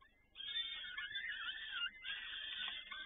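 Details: Peregrine falcons at Toruń on 7 May 2019 near 17:30 during feeding by both parents: sudden onset of loud, harsh screeching that continues with one brief dip midway.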